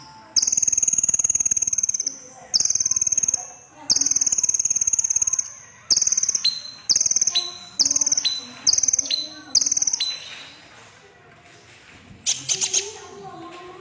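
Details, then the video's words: Crimson sunbird, a red-breasted bird, singing: a run of high, thin sustained whistles broken into separate phrases, each opening with a bright note and some ending in a lower step, followed by a brief burst of chirps near the end. "Burung KONIN Kolibri Ninja DAMER Dada Merah Gacor || CHIRPING SOUND ||"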